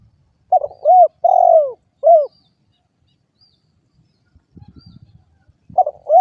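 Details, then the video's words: Spotted dove cooing: a phrase of four low, mellow notes (a short coo, an arched note, a long drawn-out descending coo, then a short arched coo), followed after a pause by faint low rustling and the start of another phrase. "suara burung derkuku"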